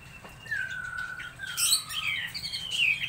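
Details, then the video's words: Laughingthrush in fine song: clear, slurred whistles that glide downward, followed by higher, quicker warbled notes and squeaky flourishes. "Chim Mi hót đỉnh"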